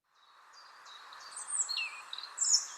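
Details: European Robin song in Monkstown Village, Dublin, in April nesting season: thin, high, wavering, scratchy phrases with quick slurred notes and pauses between phrases, over a steady low hiss; sings mornings and evenings.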